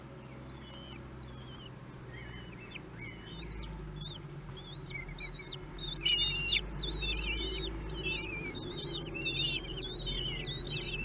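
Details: Common kestrel chicks one week old being fed at a nest webcam in Théding, France, on 31 May 2020: many thin, wavering high squeals overlap in quick irregular bursts, louder from six seconds, over a low steady hum.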